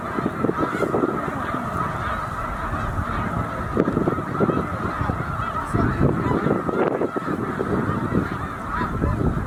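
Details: Snow geese gathered by the tens of thousands at Middle Creek wildlife refuge during migration toward the Arctic breeding grounds, giving an unbroken wall of honking with scattered louder calls rising out of the chorus.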